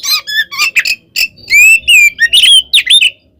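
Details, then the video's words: Oriental magpie-robin giving a fighting song used to provoke other birds: scratchy squawks, then loud drawn-out rising whistles and a sharp downslurred phrase, ending in a short harsh burst. "SUARA BURUNG kacer gacor NGEPLONG tarung ini AMPUH buat PANCINGAN KACER agar EMOSI NYAUT"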